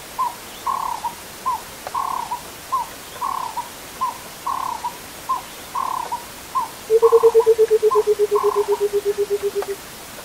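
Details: Burchell's coucal, known as the rainbird, calling in the Kruger: a long, low, hollow bubbling series of about twenty evenly spaced notes that slowly fall in pitch. Another bird repeats short, higher double notes steadily throughout.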